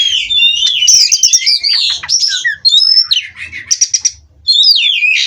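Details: Caged Oriental magpie-robin delivering a loud, dense stream of twisting whistles and chattering notes, then a short burst of sharp clicks and a final rising-falling whistled flourish.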